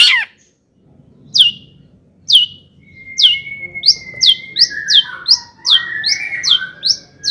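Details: Long-tailed shrike song rich in mimicked fill-ins, used to excite other shrikes. Sharp, high whistled flicks at first sparse, then quickening into a rapid series over a steady drawn-out whistle and soft warbling, with a low background murmur.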